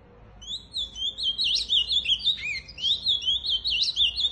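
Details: An ultramarine grosbeak sings a rich, warbled run of high, quickly rising and falling notes that carries on without pause for about four seconds.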